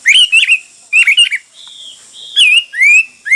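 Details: Hwamei singing loud, clear, slurred whistles in short bursts, with one level sustained note and sweeping rising phrases.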